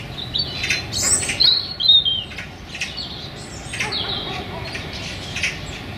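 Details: Eurasian magpie pair in a small London park, the female begging for attention from her mate; harsh, noisy squawking bursts repeated at uneven intervals, with a few thin whistled notes from another bird and light background hum.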